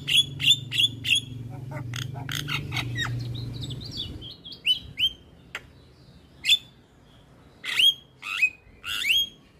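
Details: Male Javan myna singing hard with head-bobbing: bright sharp whistled chips in quick threes, then scattered loud single whistles with pauses between them, over a low hum at first.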